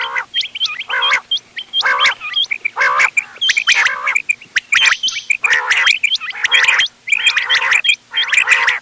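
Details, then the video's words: Mixed calls of several quail types, locally called ghungay wal, doghla and changa, played for quail hunting, 31 October 2025: nasal harmonic bursts about once a second, overlaid with quick high hooked chirps throughout. "گھونگے وال دوغلا چنگا بٹیروں کی مکس آواز quail bird sounds for hunting bater ki awaaz"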